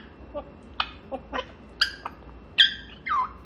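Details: Pet grey parrot during its morning chatter session indoors: scattered squeaks, short harmonic whistles and speech-like warbles, with a bright rising whistle and a falling squeal near the end, separated by brief pauses.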